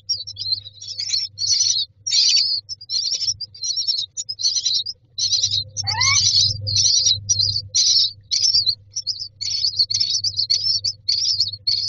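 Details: In a nest box, myna chicks ask for food with rapid bursts of high, hissy, scratchy chirps, nearly nonstop, a brief rising squeal midway and a low humming background.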